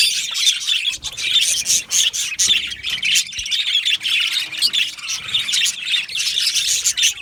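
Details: Yellow male budgerigars in an aviary colony, chattering nonstop with a dense mesh of warbled chirps, squeaks and clicky notes that overlap into a continuous high-pitched din.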